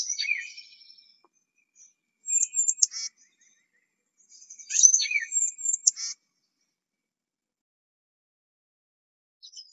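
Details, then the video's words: Tufted titmouse giving two bursts of harsh, high scratchy notes mixed with quick descending chips, then a long quiet stretch. "Bird Songs of Tufted Titmouse"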